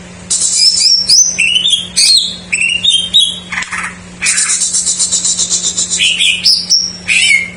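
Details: Greater green leafbird singing a filled-in isian song in a jamtrok-mania style, used as a lure for young or silent birds: varied high whistles, sliding notes and a fast chattering run, with a steady low hum underneath.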